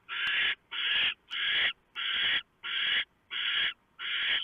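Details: Barn owl nest on 3 November 2015 before dawn, male bringing a large mouse to the owlets; regular raspy screeches about every 0.6 seconds, broad and noisy.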